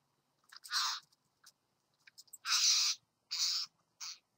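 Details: A satin bowerbird at a bower gives loud rasping, hissy notes. One long churring burst and several shorter ones, separated by brief gaps of near silence, with a few faint ticks between.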